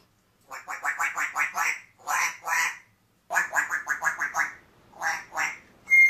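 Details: Pet parrot demanding steak: loud, harsh, nasal squawks in rapid bursts of about five, then pairs, with short pauses between, ending in a sharp clear whistle.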